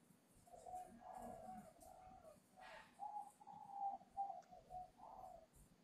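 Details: Voice-breaking young spotted dove at a bird farm near Hanoi, Vietnam. It delivers a run of mellow, slightly wavering coos, about eight notes in short groups with small gaps, against quiet background noise.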